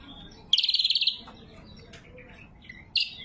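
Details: Natural lesser green leafbird song used as a lure and training aid: a quick trill of about ten pulses, a quiet gap with faint notes, then a short sharp burst.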